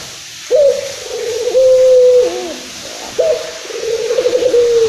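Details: Local Indonesian Barbary dove, described as agitated, recorded as a playback to stimulate other doves: two long rolling coos, each opening with a sharp rising note and then a steady purring trill, about 2.5 seconds apart.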